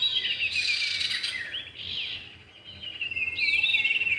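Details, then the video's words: Lure recording of male and female common iora: a buzzy high trill fades and then returns, overlaid by looping whistled curls that grow stronger toward the close. "pikat burung cipow jantan dan betina"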